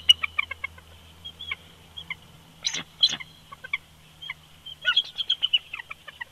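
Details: Bald eagle pair at the nest in winter, Big Bear Lake, California, 22 February 2020, on a nest camera: high staccato piping notes in loose series, two loud squeals in the middle, a quick chattering run near the end, low background hum.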